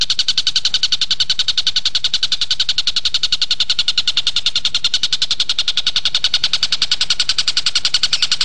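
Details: Javan kingfisher (tengkek buto) in full, vigorous song, kept as a training recording for magpie-robins: a fast, steady stream of harsh, high chattering notes, about three or four each second, evenly repeated throughout with no pauses.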